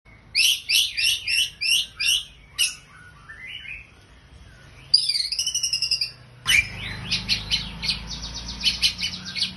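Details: White-rumped shama with a song in the style described as church-like: bursts of high buzzy trilled notes, a falling whistled run, then rapid repeated high chips, with quiet pauses between phrases.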